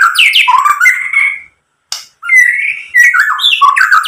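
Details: White-rumped shama song, used as a lure to make listening shamas answer and sing, with mimicked phrases. Harsh squawky slurs and whistles, a brief click-filled pause, then loud level whistles and tumbling notes.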